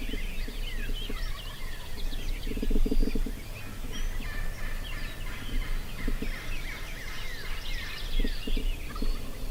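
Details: Wild turkey, a call-shy longbeard tom in Nebraska, hunted with no calling and no decoys: rattling, fast-pulsed gobbles burst out around the third second and again near six and eight and a half seconds, with small birds chirping throughout.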